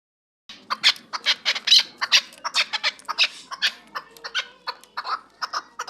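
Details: Chukar partridge from Kabodiyon district, offered for sale, giving a fast run of harsh, clucking chuk notes, about twenty in six seconds, loud and slightly uneven in tempo, with quiet low background hum.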